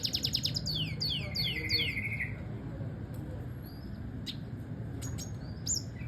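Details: Double dilute red siskin tutor recording for training birds: a quick series of falling whistled notes sliding lower for two seconds, then sparse sharp high chirps and clicks over low hum.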